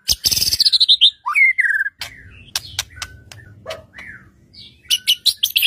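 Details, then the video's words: White-rumped shama song to provoke other shamas into singing; a loud buzzy descending burst, a rising whistled slur, then scattered clicks and soft high notes. "murai batu gacor AMPUH untuk PANCINGAN murai batu agar bunyi JADIKAN burung murai gacor EMOSI NYAUT"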